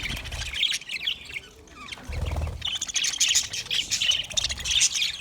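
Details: Aviary budgerigars from Australia warbling and chirping together, a dense mix of scratchy chatter and short tweets, quieter in the middle then building again, with low thumps underneath.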